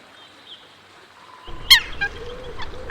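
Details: Coot on a river gives one loud, sharp, nasal note, then several shorter, softer clipped notes, over a low rush of water or wind.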